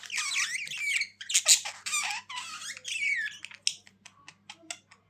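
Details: Pet budgerigar sound for lonely birds: continuous high warbling chatter with wavering whistles and harsh squawky bursts, ending in a string of scattered sharp clicks, in a quiet room.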